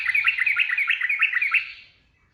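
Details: Quick rippling 'ropel' phrase of a sooty-headed bulbul, bright chirped notes in a rapid string lasting about a second and a half, then trailing off into quiet.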